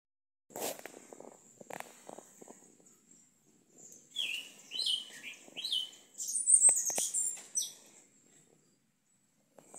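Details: Yellow-legged thrush (Turdus flavipes) singing in a backyard at Itaqui, Guaraqueçaba: high, varied, slurred phrases in quick succession over a thin high hiss, after a few sharp knocks at the start.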